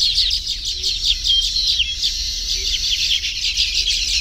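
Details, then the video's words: Nesting Baya weavers in the tropics making a steady wall of high chattering chirps from several birds at once, rapid and overlapping, with faint low notes under them. "The Baya Weaver’s Amazing Nests | Tropical Birdlife Sounds"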